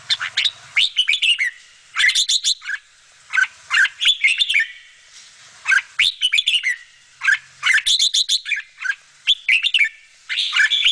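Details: Bulbul feeding her babies: loud clusters of quick, shrill chirping notes, each cluster lasting about a second, repeating steadily through the recording over background hiss.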